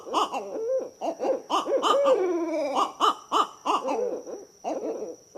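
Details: A Barred Owl pair duets in overlapping bursts: the female gives higher, wavering cackling hoots while the male answers with lower, typical hoo-hoo notes, with a steady hum underneath.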